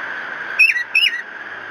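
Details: Tufted titmouse visiting a nest at 07:53 gives two short, clear whistled notes, each sliding downward, about a third of a second apart. A steady, faint whistling tone runs underneath throughout.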